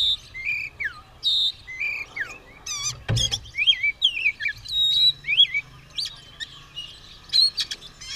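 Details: White-rumped shama, caged and ready to fight with tail spread, singing varied whistled phrases with downward slurs and quick chatters, one sharp knock partway through.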